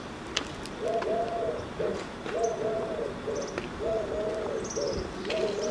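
A Eurasian Collared Dove gives low, hollow three-note coos, repeated in steady phrases. Faint high chirps from other small birds sound in the background.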